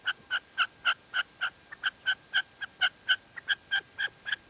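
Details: Female red-legged partridge from La Mancha, Spain, repeating short, ringing notes at a brisk, slightly uneven pace, with a few softer notes mixed in.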